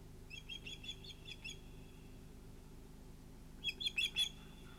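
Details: Osprey calling at a nest during an evening fish delivery at sunset, 11 August 2018: two short series of high, chirping notes, faint against a steady low hum.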